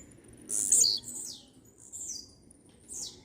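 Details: Blue-black grassquit (tiziu) in strong song, giving one loud, sharp, very high buzzy note, followed by fainter high descending slurred notes.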